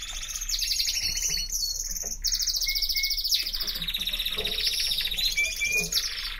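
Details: Canary song with rapid, bright trills and rolling warbles, phrases changing every second or so, with a few thin whistled notes mixed in.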